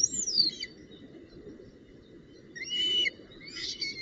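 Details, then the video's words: Nest of a northern goshawk, female present with branch and prey, 19 June 2018. A high descending whistled slur opens, then quieter gap, then two harsh, wavering squeals later on. Steady rustling background. "Havik V Met Tak En Prooi"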